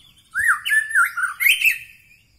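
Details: White-rumped shama of the Medan Bahorok type singing a short varied phrase of rich warbled and slurred notes, rising and falling over about two seconds, with faint high overtones and a quiet background.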